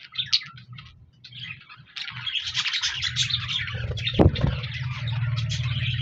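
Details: Budgerigars chirping, recorded on 14 January 2024: after a quieter opening with scattered short chirps, a dense chattering of many birds builds from two seconds on, with a low rumbling hum and a sharp knock near four seconds.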